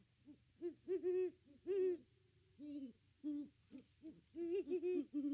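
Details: Pair of great horned owls at their nest tree on Christmas, nest cam audio: dense overlapping low hoots, one voice slightly higher than the other, in stuttering doubled and tripled notes throughout.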